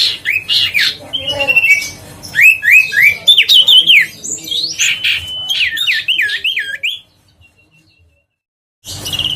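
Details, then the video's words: Huyt co bird song played to lure birds: busy bursts of zigzag warbles and short whistled slurs, then near silence for two seconds before a final burst. "tiếng chim huyt co siêu sang chảnh//giọng nói để tăng ham muốn chim huyt co"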